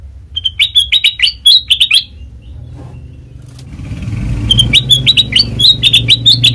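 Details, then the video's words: Song of a black-crested bulbul, used to lure birds for trapping: a fast run of sharp, chirpy warbled notes, a pause filled with rising low rumbling, then another lively burst of the same notes. "Suara Asli Kutilang Emas Pancingan Pikat Masteran"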